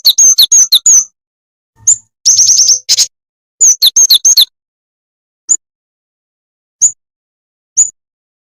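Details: Lure call of the jing jing tetep bird for trapping: bursts of quick, high, piercing chirps in clustered runs, followed by single isolated chirps spaced more than a second apart near the end.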